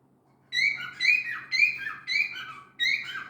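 A cockatiel gives loud, shrill whistled calls that rise and fall, repeated about twice a second.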